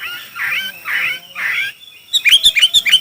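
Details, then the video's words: Chinese hwamei in a song contest: three slurred warbles near the low-middle range, then a quick run of bright, high whistled notes in rapid succession. "Hoạ mi hót đấu"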